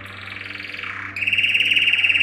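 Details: Yellow canary male, training song for canaries: a dense buzzy trill sags lower, then breaks into a brighter, louder rolling rattle held to the end, over a low background hum.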